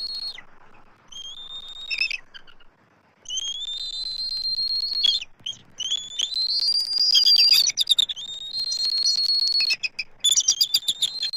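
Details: Both adult eagles vocalize from their Southwest Florida nest tree on 12 March 2024 while an immature intruder circles. Sustained high whistled notes alternate with bursts of rapid chittering pulses, overlapping and loud, with short silent gaps.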